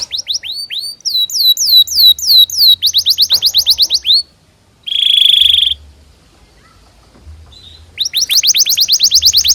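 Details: Canary song played as a tutor recording for young canaries learning to sing: rapid trains of high downslurred whistles, a loud steady buzzy trill, a short pause, then quick repeated upswept notes resume.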